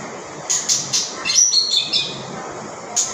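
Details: Bird song against constant hiss, made of a few high sharp chips followed by a brief run of bright, squeaky whistled notes in the middle and one more chip at the close.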